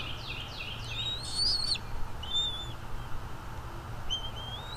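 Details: Bald eagle calling at the nest, nest-camera recording from 23 April 2021, 07:25: a quick run of down-slurred chips, then a few thin whistled notes, some rising, fairly faint over steady low background hum.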